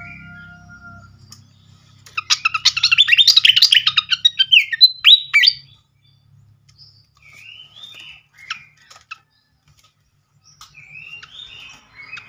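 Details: Flycatcher song used as a lure to provoke replies: a dense burst of fast scratchy chattering and whistled notes, then scattered soft slurred whistles with pauses.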